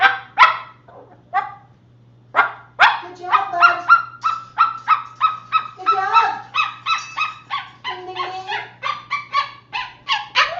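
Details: Pet Moluccan cockatoos at home, a few isolated loud squawks followed by a long series of evenly spaced honking, nasal barks, roughly three per second, with a lower grunting voice joining midway and a steady background hum.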